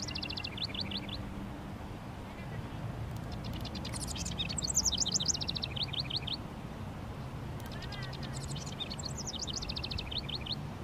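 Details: Male house wren singing at length on a sunny 19 °C Mother's Day, marking its territory around a honeysuckle vine and bushes by a fence; bubbling rapid trills in two bursts over a steady low background rumble.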